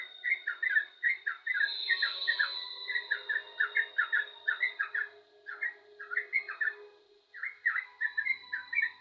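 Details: Yellow-vented bulbul in lively song, delivering rapid bubbly phrases with a short break around the seventh second, over a soft steady hum.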